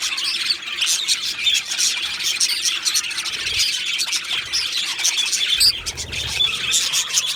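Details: A pair of male budgerigars from Australia keep up a constant twittering chatter, rapid scratchy chirps layered together with a few sharper squeaks and a faint low rumble in the background.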